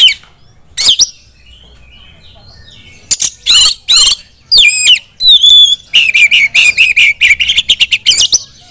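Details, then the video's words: Female white-rumped shama calling other shamas to sing: scattered harsh swept notes, a few high steady whistles, then a fast rattling run of short buzzy notes repeated about ten times. "memanggil KACER lain agar ikut GACOR dan NJERIT // KACER BETINA"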